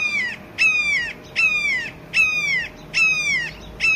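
Red-shouldered Hawk giving loud, harsh, down-slurred kee-ah screams, about one every 0.8 seconds in a steady series.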